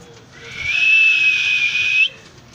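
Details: Cockatiel producing one long, steady, drawn-out whistle of about one and a half seconds, ending with a slight upward flick.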